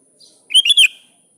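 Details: Sooty-headed bulbul, known locally as kutilang, calling to a rival with one quick bubbly three-note phrase, the middle note rising and the last slurring down.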